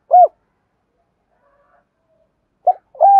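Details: Decoy spotted dove calling wild doves in 'hai hậu ròng' style: one rounded low coo, a long silence, then a quick double coo.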